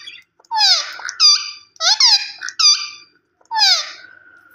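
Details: Harsh, ringing squawks from a green ringneck parrot. Downward-sliding screeches pair with flatter notes in two close groups, then a pause before a final screech.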